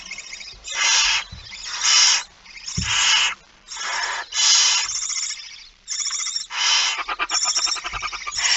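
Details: Barn owl with a mouse, recorded 17 September 2019 at 06:11: a run of long, harsh, broadband hissing screeches, each about half a second to a second, following one another almost without pause, with a few soft low thumps.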